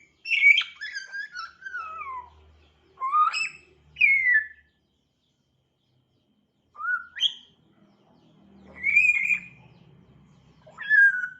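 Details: An African grey parrot beginning to chirp gives bright slurred whistles and descending chirps in two bursts split by a silent gap, with faint low murmurs underneath.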